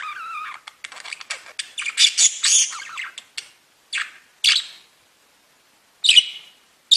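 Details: Pet budgerigars open with a soft wavering whistled warble and fast chatter, then rasping squawks that thin out into a few isolated loud calls separated by silences.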